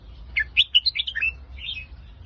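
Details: Red-whiskered bulbul singing in the Phetchaburi style: a lively, bouncing phrase of clear whistled notes delivered in quick succession, trailing into a softer warble, over faint low noise.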